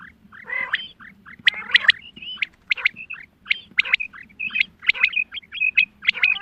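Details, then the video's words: Quail, female, call used as a hunting lure: short high clipped notes in quick irregular series, some sharp double-stroked calls, a rougher burst near the start, faint low hum beneath. "Batair ki awaz Quail sounds Садои бедона мода bedana ovozi بٹیروں کی سپیشل شکاری آواز"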